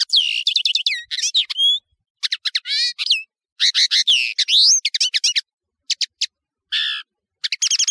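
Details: Song of the European serin, the nino of Algeria, recorded for a tutoring tape: short, varied high phrases mixing squeaky notes, sliding whistles and rapid twitters, separated by brief gaps.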